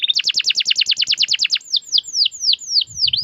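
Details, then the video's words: Canary singing a long rolling trill: a rapid run of sharp repeated chirps for over a second, then slower, separate downslurred whistles about every third of a second. "KENARI Gacor cuit cuit ngerol panjang"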